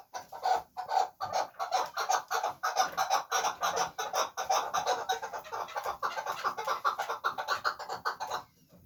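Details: Chukar partridge kept as a fighting bird, uttering a steady stream of hoarse, clucking chuk calls at close range, roughly three per second, stopping abruptly at the end.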